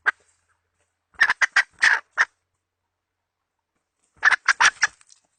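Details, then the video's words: Hen chicken used as a trapping decoy, 2020 season: two separate clusters of fast, scratchy clucks, about five notes each, about three seconds apart, with a lone note at the very start. "Tiếng gà mồi mái mới nhất mùa 2020..suab poj qaib seev"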